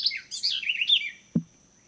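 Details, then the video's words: A bird sings in the early morning in Suriname on 7 October 2017, a quick, high run of warbled and chirping notes lasting about a second, followed by a single low knock. "De vogeltjes zingen mooi in de vroege ochtend"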